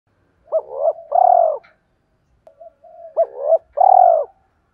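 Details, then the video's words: Spotted dove decoy bird of the 'giọng thổ' voice style, used to make wild doves coo fast: two low hollow coo phrases, each a short upswept note, a burred note and a long fading coo, with a clear pause between, quiet background. "Chim Cu Mồi / cu gay kich boi nhanh noi gù"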